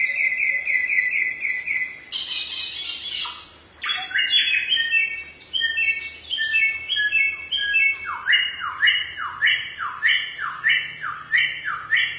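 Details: Samyong in the forest: a long, steady buzzy trill, then a harsh rasping burst, then quick ringing phrases turning into a fast series of rising, swooping whistles repeated over a dozen times.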